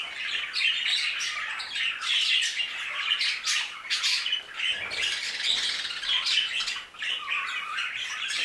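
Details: Aviary flock of budgerigars keeps up a continuous noisy chatter of rapid squawky notes and bright chirps, many birds calling at once with brief dips in volume.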